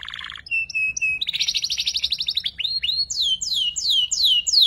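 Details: Juvenile canary practising its song for training other birds; opens with a low rattle, then brief whistled notes, a fast buzzy trill, and a series of loud downslurred sweeping whistles repeated about twice per second.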